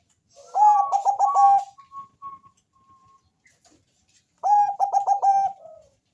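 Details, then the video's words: Bangkok-type zebra dove with a thick, deep bass voice, singing melodiously to lure other doves into calling. Two bursts of rapid, evenly pulsed cooing notes, about five each, are separated by a quiet gap with soft faint notes. "Perkutut bangkok rajanya bikin gacor suara tebal ngebass manggung merdu mengundang bunyi perkutut"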